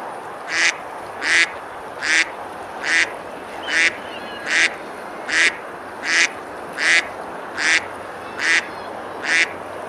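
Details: Duck on a summer river at Besalú, Girona, Spain, among feeding, splashing ducks; thirteen short, harsh quacks repeat with clock-like regularity about every three-quarters of a second over steady flowing water.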